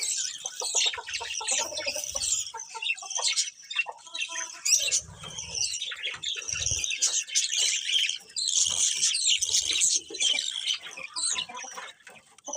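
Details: A group of colourful budgies keeps up long, continuous twittering: fast high chirps, buzzy trills and scratchy squawks, with some low thumps and wing-like rustles underneath.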